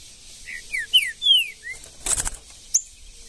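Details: Green-winged saltator singing in the woods: five bright, descending whistles in a quick run, then a brief rustling burst and a single sharp high chip.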